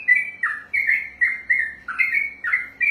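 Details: Yellow-vented bulbul (trucukan) singing long 'ropelan' rapid song: a continuous chain of short whistled notes, each dropping then rising, about three per second, with a steady clear rhythm and a faint low hum behind.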